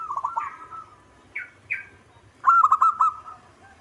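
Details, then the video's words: Local zebra dove in song, mixing trilled runs of soft cooing notes with short upslurred calls, ending in a louder burst of rapid, bubbling coos. "Perkutut lokal gacor 99% suara perkutut manggung"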